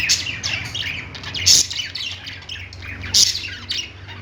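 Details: Budgerigars singing on a pet-store perch: quick scratchy chirps and warbles, with two loud harsh squawks standing out around one and a half and three seconds, low hum beneath.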